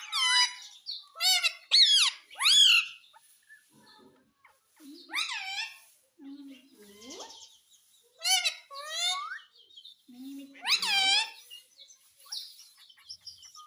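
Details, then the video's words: Rose-ringed parakeet imitating words such as "mummy papa": rapid, voice-like syllables with bending pitch and a nasal, raspy tone, grouped in short bursts with a few lower murmured sounds between. "Mummy Papa Bolne Wala Parrot _ Ringneck Parrot mitthu talking"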